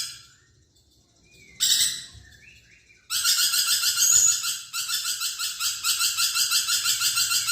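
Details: Chattering lorikeet song, offered as a training track for magpie-robins. A short whistle and a brief harsh burst come first, then a long, steady run of raspy, screechy pulses at roughly three per second.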